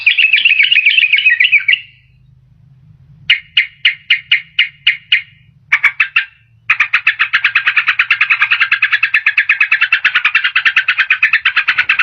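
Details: Sooty-headed bulbul lure used to pull in wild birds or get reluctant ones singing: a warbled phrase, a string of evenly spaced sharp chirps, then a long rapid chattering trill lasting several seconds.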